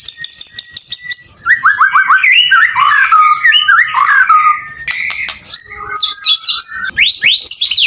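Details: Energetic song of a male white-rumped shama: starts with a fast high trill of repeated notes, then rolling mid-pitched whistles and warbles, finishing with varied sharp upward sweeps.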